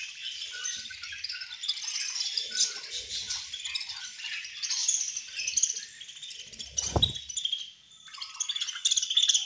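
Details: Budgerigars chirping at feeding time, many overlapping squeaky, buzzy chirps and warbles in a constant high chorus, interrupted near the seventh second by a sharp low knock.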